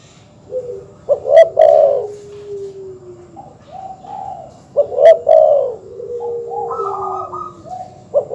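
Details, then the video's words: Dove (terkukur or perkutut) cooing to provoke rivals: two rich, low coo phrases about four seconds apart, each trailing into a long, gently falling note, with steady higher tones between. "suara masteran terkukur/kutut bikin emosi lawan"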